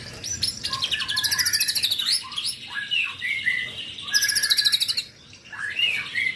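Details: A young white-rumped shama delivers a rich varied song of fast, very high rattling trills mixed with rising and falling whistles and chattering notes, and a brief pause near the end.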